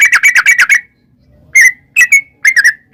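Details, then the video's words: Yellow-vented bulbul lure song: a quick chattering phrase of six bright notes, a pause, then several separate slurred whistled notes with falling tails. "trucukan gacor ROPEL PANJANG buat pancingan trucukan agar bunyi jadikan burung trucuk gacor NYAUT"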